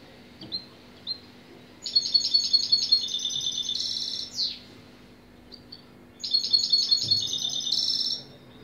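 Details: European goldfinch song: a few soft chirps lead into a long phrase of rapid, liquid twittering notes ending in a buzzy rattle and a downward-sliding note. After a pause, a second similar phrase follows over faint background hum.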